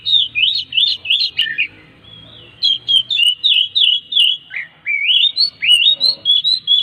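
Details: Oriental magpie-robin in near-continuous song, used as a recording to get other magpie-robins singing: varied looping whistled notes in quick succession, rising and dipping phrases, over a faint low background hum.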